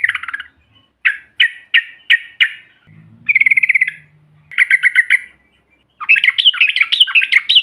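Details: Yellow-vented bulbuls in trucukan style, a group recording for provoking other birds: a series of sharp chips, a rattling trill over a faint low hum, a rasping burst, then lively warbled chatter.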